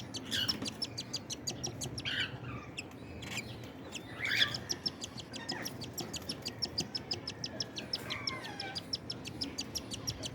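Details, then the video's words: While cockatiels feed their young, fast, rhythmic raspy clicks run almost without a break, mixed with a few short rising and falling chirps over a constant low hum. "Rare video of cocktail feeding their chicks"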